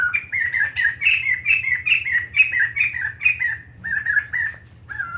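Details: White-crested laughingthrush singing at length: a fast run of bright, slurred whistled notes repeated roughly once a second, each dipping and rising, then a brief pause before a few lower phrases; faint low hum underneath.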